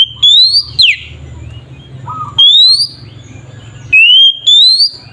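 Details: Caged white-rumped shama singing to provoke rival shamas into song: loud whistled notes sweeping upward, a sharp falling slur, and short bursts recurring about every two seconds, with quiet low hum and faint softer notes between phrases.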